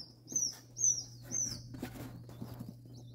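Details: Freshly hatched ring-necked pheasant chicks from an incubator, from Nebraska eggs; three high, thin, downslurred peeps in quick succession, then quieter faint peeping over a constant low hum.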